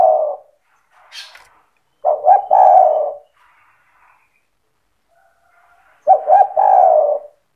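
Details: Spotted dove 'cetretan' song used to get other doves calling: three low cooing phrases of clipped notes ending in long purrs, with a brief higher chirp between the first two.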